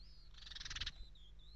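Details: Five house sparrow nestlings, hatched this morning, give a brief, high, rasping burst of rapid begging chirps lasting about half a second, over a steady low hum and a thin whine.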